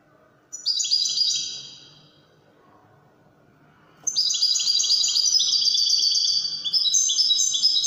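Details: Singing European goldfinch, Moroccan Wedani style: a short burst of bright twittering, a pause of about two seconds, then a long, rich, tinkling phrase of quick high notes.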